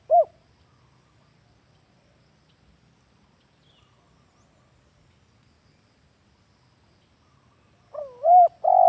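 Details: Spotted dove lure cooing used for captive dove training: one short coo at the start, a long silence, then a phrase of a double coo and a loud sustained hoot near the end.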